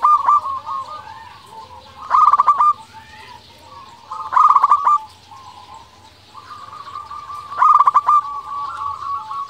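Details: Cooing zebra dove of a local type, played to draw answers from other doves and stir their mating drive: three loud rattling coo phrases roughly every two to three seconds, linked by softer rolling coos.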